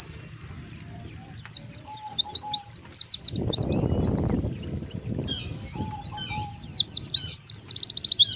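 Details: Oriental white-eye lure calls used to draw wild white-eyes together: rapid high, thin, down-slurred chirps in quick bursts, with a short pause near the middle and faint low background noise.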